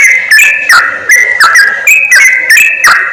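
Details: Yellow-vented bulbul lure sound for attracting wild birds to trappers: loud, liquid whistled phrases joined by short sharp chirps, several notes overlapping in quick bubbly bursts.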